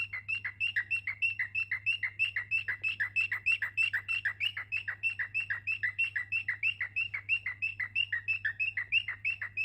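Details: Cockatiels kept as pets chatter in a steady, rapid string of short, high chirps, about three each second, each note dipping and then lifting. A constant low hum runs underneath.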